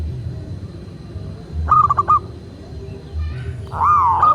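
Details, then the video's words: Local Indonesian zebra dove, kept as a master recording for prompting other doves: one brief stuttered run of clipped notes, a pause, then a single drawn-out wavering coo against a rumbling low background. "Perkutut lokal gacor"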